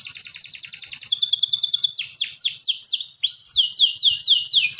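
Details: Domestic canary delivering a long rolling song: a fast high trill of rapid repeated notes, then a series of descending sweeping slurs and wavering whistled phrases, continuous and loud, with faint low knocking in the background.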